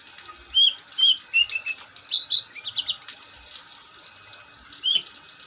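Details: Long-tailed shrike in lively song: spaced clear whistled notes, some falling, then a fast run of short chirps around two to three seconds, a long quiet gap, and a final whistle.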